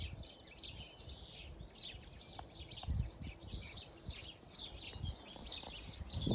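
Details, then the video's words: A flock of house sparrows in a hedgerow on a farm in County Kilkenny, Ireland, keeps up a busy, overlapping chatter of short chirps over low rumbling background noise. "Listening to a flock of house sparrows as they chitter chatter in the hedgerow."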